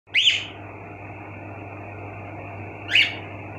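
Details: Pet cockatiels kept indoors give two sweet, bright chirps, each sliding up then down, separated by over two seconds of quiet with a steady low electrical hum underneath.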